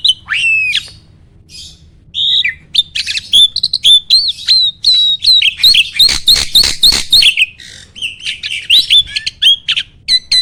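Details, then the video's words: A starling sings in a recording intended to stir other birds to sing back. A drawn-out descending whistle opens, then after a quiet pause comes a fast series of sharp repeated whistled notes mixed with clicks and rattles. "MASTERAN BURUNG JALAK AMPUH!!!"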